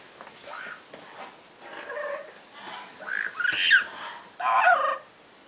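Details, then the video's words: Pet female Double Yellow-headed Amazon parrot playing inside an open cabinet she uses as a hideout, making soft murmured notes that build into a few louder nasal squawks, spaced irregularly. "says "hello" from her farvorite parrot hideout"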